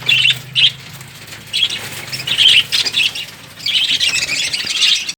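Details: Piercing, high lovebird squeaks come in short bursts, then a longer continuous stretch of shrill chattering near the end, over a low background hum.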